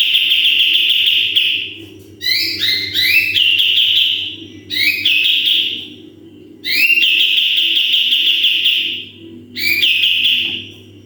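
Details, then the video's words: Sooty-headed bulbul in full 'tembakan' song as training audio: about five phrases, each opening with quick rising whistled notes and flowing into a sustained buzzy high trill, separated by short pauses; low hum in the background. "MASTERAN KAPAS TEMBAK GACOR FULL TEMBAKAN"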